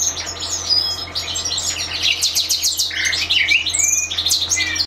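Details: Aviary European goldfinches in lively song, a dense mix of sharp high twitters, descending whistled slurs and rapid liquid trills from multiple birds, over a constant low hum.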